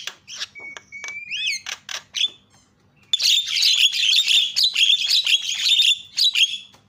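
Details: Jalak starling singing, played to prompt other caged starlings that refuse to sing: a flat whistle and an upslurred whistle among chattering notes, then a dense, continuous jumble of squeaky warbling and chatter.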